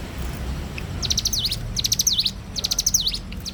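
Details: Bar-winged prinia singing energetically at dawn hours: after a second of quiet, three phrases of rapid, high, ticking notes follow, each ending in a V-shaped swoop, over soft low rumble.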